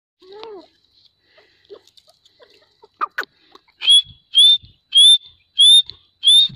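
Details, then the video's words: Grey francolin calling: after a second of faint scattered chirps, a series of five loud, clipped whistled notes with a rising inflection, repeated about every 0.6 seconds. "Silver Teetar Call | Teetar Awaaz"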